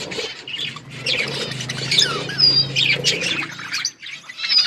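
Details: Budgerigars in an outdoor aviary flock warbling continuously, a busy stream of twittering, slurred whistles and scratchy notes overlapping from several birds, with a low steady hum beneath.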